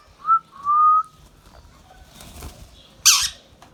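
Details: Pet Indian ringneck parrot sounding a short whistle and a longer steady whistled note, then a sudden harsh burst after a pause in a quiet room.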